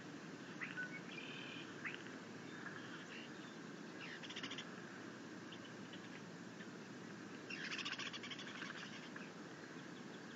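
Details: Happy bald eagle eaglet chittering at its nest as the mother brings in a fish, 6.9.21. Short high chirp clusters come early, then rapid buzzy trains of notes near the middle and end, over constant low background rumble.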